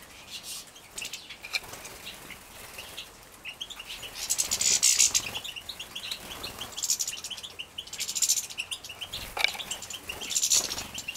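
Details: Young captive-bred European goldfinches being fed at lunch in Poland in 2017 give high, thin chirps at a rapid, uneven rate, with louder buzzy bursts of chittering around four, seven and ten seconds.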